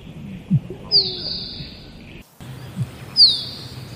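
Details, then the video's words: Musk duck calling twice: a low thud, then a sharp, high, falling whistle. The background is rustling and noisy, with a brief cut in the middle. "Musk Duck Sound"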